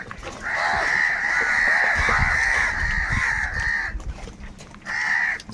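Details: Angry crows fighting over food give a long, drawn-out harsh call lasting over three seconds, then a second shorter rasping call after a brief pause, over low background rumble.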